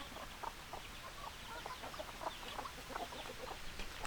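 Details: Many chickens clucking together, a steady chatter of short clucks and scattered squawks from a flock, with a faint hiss of background noise.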